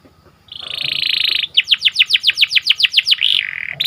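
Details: In the morning a canary sings a steady buzzy roll, then a run of about fourteen sharply swept, repeated notes at a quick even pace, followed by a short rolling phrase and another buzz.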